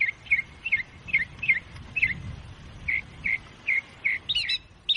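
A nightingale sings a fast series of short, clear chirped notes, repeated two to three times a second, ending in a few higher, buzzier phrases.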